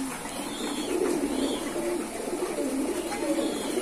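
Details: Kept domestic pigeons cooing: low, soft, throaty coos rise and fall in overlapping phrases with a steady background hiss.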